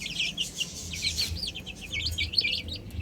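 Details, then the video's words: Young chickens peeping rapidly in high, slurred chirps that overlap in a busy tangle, with a brief louder rush near the middle and a low rumble beneath. "Adorable Chicks Chirping Sounds"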